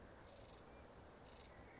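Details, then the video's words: A group of long-tailed tits calls in the distance on a sunny spring afternoon at an allotment, April 2023: two thin, very high buzzy trills about a second apart, each under half a second, over a quiet outdoor hush. "Oh, I can hear some long-tailed tits in the distance. Can you hear them? Oh,"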